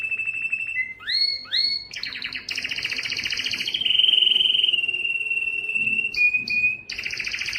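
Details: Yellow canary in song, opening with rising slurred whistles, then dense rolling trills that settle into a long steady high roll, broken by short chirps before another trill resumes.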